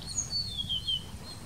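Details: Singing Blue-throated flycatcher in India giving a thin, high, sweet phrase of several whistled notes that step gradually lower in pitch, with faint low background noise.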